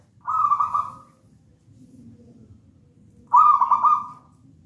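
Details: Energetic song of a zebra dove, a wild local bird from a nest in a raja banana plant: two rapid pulsed, trilled coo phrases about three seconds apart, with soft low hum between.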